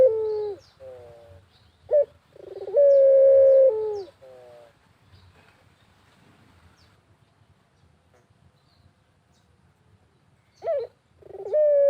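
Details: Barbary dove in the countryside cooing to prompt others: a falling hoot, a sharp note and one long steady coo with lower tail notes, then several quiet seconds before the calling resumes; faint high chirps.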